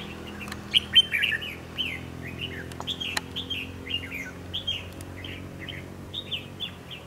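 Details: Red-whiskered bulbul with a dark bib, kept as a decoy for trap fighting, giving bright chirped notes. Short downslurred whistles come in quick loose bursts, with faint low hum beneath.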